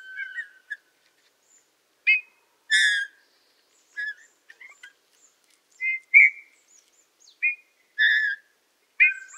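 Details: Eurasian bullfinch song from the Tula Zaseki forest, Tula Oblast, Russia, recorded 18 March 2015: clear, separate piping whistles and short harmonic notes spaced by pauses of one to two seconds, in an otherwise quiet background.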